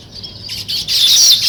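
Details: Weaver birds building a nest chatter in high, wheezy, overlapping chirps that swell into a busy buzzing jumble within a second or two.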